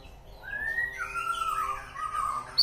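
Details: White-rumped shama (murai batu) from East Aceh sings a mellow, slurred whistled phrase that wavers up and down in pitch, ending in a sharp high note.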